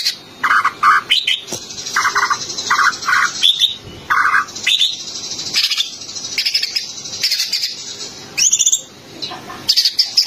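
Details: Green leafbird song used to spur a white-rumped shama into rolling song: busy, high chattering and sharp chirps, bright trilled bursts and repeated short mid-pitched notes in quick clusters, with constant overlapping twitters.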